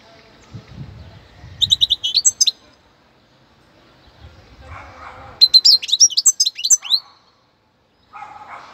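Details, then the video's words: A young European goldfinch from Cádiz gives two bursts of rapid, tinkling, liquid twitters, high and bright, separated by a pause, over soft rustling background noise. "jilguero novel"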